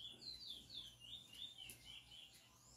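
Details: Chestnut-bellied seed finch (Sporophila angolensis), a selected singing bird, sings a fast, continuous high warble of sliding, looping notes that rise and fall without pause, over a faint low hum.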